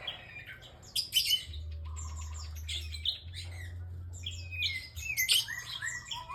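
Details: Bar-winged prinia engkel calling vigorously: bursts of bright, sharp, downward-sweeping chirps separated by short pauses, a flat steady mid-pitched tone between bursts, and an electrical hum underneath.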